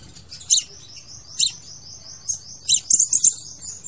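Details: Crimson sunbird singing, used as a lure or trap call: a few single sharp high chips over a faint thin whistle, then a quick run of four ticking notes.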